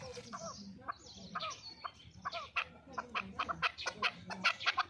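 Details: Chukar partridge, a fighting bird from Qubodiyon, Tajikistan, gives harsh clucking notes. They start sparse, then speed into a rapid run of chucks about three per second, with a low hum underneath.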